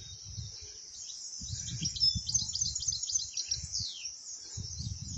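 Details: Wild European goldfinch singing in Moroccan countryside: thin, very high tinkling twitters and quick chirps run together in a steady stream, with low rumbling wind or handling noise underneath.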